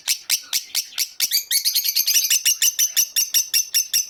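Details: Shrill, metallic chirps from a Fischer's lovebird, starting spaced and then quickening into a steady, insistent rapid run of high notes.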